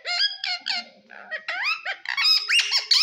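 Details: Green talking parrot making harmonic, voice-like squeaky syllables in quick succession, with rising and falling inflections.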